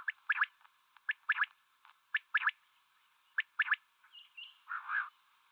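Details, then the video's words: Common quail, male and female, calling in a mix: quick sharp clicks fall in twos and threes about once a second, ending in a short rising whistle and a rough, louder note. The recording sounds thin. "Female Batair Calling 2020 | Male Batair Sounds | Mix Calling | Common quail Calling | Quail sounds"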